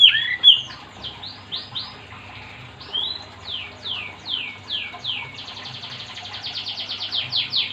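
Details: Energetic Oriental magpie-robin singing, used to make other magpie-robins sing too. Steady downslurred whistles give way to a fast, rattling run of quick notes toward the end, with a low hum behind.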